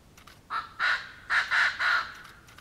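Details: A koklass pheasant (Pucrasia macrolopha) calls with five harsh, guttural crowing notes in quick succession, one short and then four longer and louder, over a quiet background.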